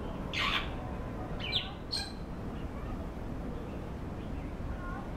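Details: African grey parrot in the Kowloon Park aviary giving three short harsh squawks in the first two seconds, followed by a faint soft note, over a loud steady background rumble.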